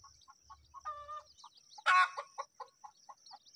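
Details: Mynas at feeding time: spaced short clucks, a brief harmonic chatter, then one loud harsh rasping squawk followed by more evenly spaced clucking notes; a faint low rumble at the start.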